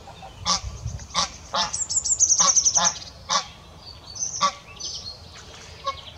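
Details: Noisy greylag geese on 6 February 2017, calling in loud, broken bursts of rough, nasal honks, some quickly doubled, with pauses between groups and a high-pitched twittering from another bird partway through.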